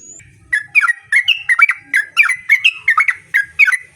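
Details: Yellow-vented bulbul in lively song, used as a lure so other bulbuls reply: a fast, continuous run of liquid, bubbling two- and three-note phrases repeated about three times a second, loud and clear.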